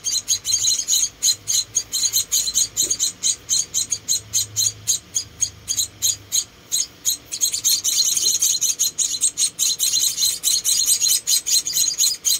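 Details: Rescued munia chicks, four of them, chirp rapidly and shrilly while being fed; dense bursts of high calls run on with a short busier stretch midway.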